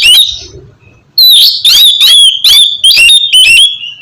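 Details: Oriental magpie-robin song used to get a sluggish bird singing: a whistle, a brief lull, then a run of loud bright slurred whistles and rasping bursts in quick succession.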